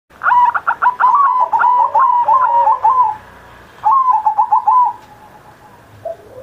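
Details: Caged zebra dove singing on Indonesia's Independence Day, used as a master recording to prompt other pet doves to sing: two bursts of rapid, pulsed cooing phrases near one pitch, the first about three seconds long, the second shorter.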